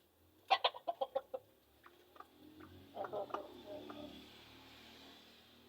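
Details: Wild red junglefowl in forest at Seulawah, Aceh Besar, Aceh: a quick burst of about six short, sharp clucking notes, then softer scattered clucks fading over a faint low background hum.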